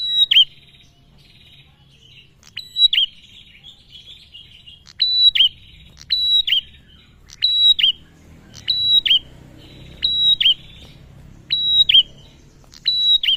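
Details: Lure call of a male bar-winged prinia, meant to set other prinias singing: around ten clipped phrases of a high steady whistle that drops into a hooked chirp, spaced about a second apart after an early pause.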